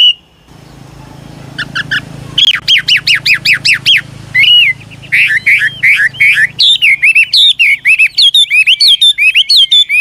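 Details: Old wild Chinese hwamei singing changing, ornamented phrases to coax young birds into song: a brief whistle, then fast strings of sharp repeated notes and looping whistles over a low background hum.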